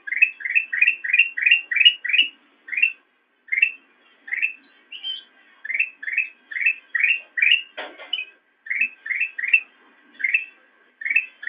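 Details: Black-crested bulbul song used to train cage birds: fast runs of short rising whistles, several per second, in repeated bursts, with one sharp click-like noise midway.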